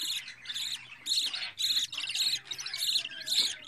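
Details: Two-week-old pet budgerigar chick producing quick raspy calls, about eight bursts in four seconds, grating and high, with a steady faint hum in the background.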